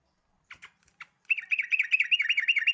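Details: Yellow-vented bulbul: a few soft scattered notes, then a quick, chattering burst of wavering chirps that rises and falls in rapid succession, growing louder toward the end.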